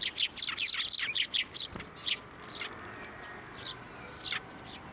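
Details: Sparrows at a Tenmangu shrine on 15 January 2024, flying onto a hand to be fed; a quick burst of bright, harsh chirps tumbling together, then single chirps spaced out over a quiet background.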